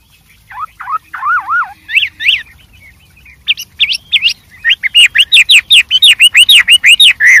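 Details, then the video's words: Wild white-rumped shama singing energetically with many variations: loud, clear slurred whistles in repeated up-and-down phrases, shifting pitch between phrases and speeding into a rapid series of bright notes near the end. "suara Burung Wambi Gacor Variasi Banyak dialam liar"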